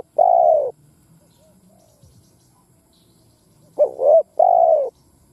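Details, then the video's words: A spotted dove lure bird coos to incite wild doves to fight. A broad, drawn-out coo is followed after a pause by a quick double note and another long coo, over a quiet background. "Tiếng Chim Cu Gáy mồi đất gáy kích bổi Mở là gáy"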